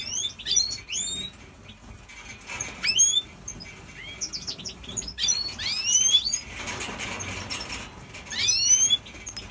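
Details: Major Opal goldfinch in an aviary, in breeding mood, giving several bursts of high, fast twittering song with upswept notes, separated by quieter gaps with rustling and wing-like noise.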